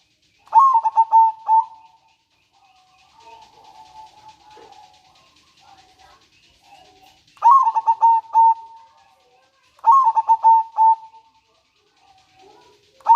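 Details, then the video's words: Local zebra dove, known as perkutut, singing in manggung and nretek style, used as a lure and to bring doves into breeding condition. Gives bursts of stuttering, rolling coos, three phrases, with a faint buzzy hum between. "Perkutut lokal gacor suara MANGGUNG dan NRETEK"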